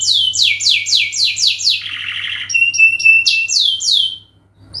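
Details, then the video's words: Canary giving a long training song as a lure: fast falling whistles, a low buzzy rattle, then steady pure tones and more descending notes before a short silence. "masteran burung kenari gacor panjang untuk pancingan"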